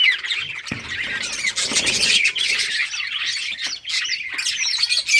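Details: Budgerigars in summer breeding season, August, playing together; dense continuous chatter of high chirps and warbles, with some knocking and flapping noises early.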